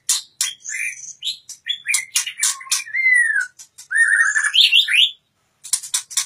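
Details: Oriental magpie-robin, a caged bird from Indonesia, in a continuous varied song: rich whistled slurs dipping and rising, mixed with sharp clicks and harsh buzzy notes, phrases run together with short breaks near the end.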